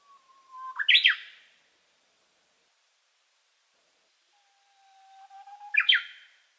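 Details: Small songbird in the Yashio Ikoi no Mori forest on 21 April 2017, giving a long, even, low whistle followed by a quick, sharp rising-falling flourish, repeated twice with a quiet gap between.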